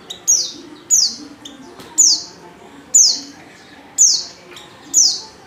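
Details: Female Oriental white-eye call used as a lure to draw males into singing: sharp, high, down-slurred notes repeated about every second, each falling steeply, over a faint low background hum.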